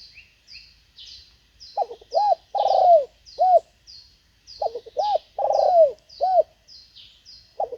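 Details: Decoy Spotted Dove luring wild doves repeats a coo phrase twice, short clipped hoots leading to a long swelling note that slides down. High thin chirps sound throughout.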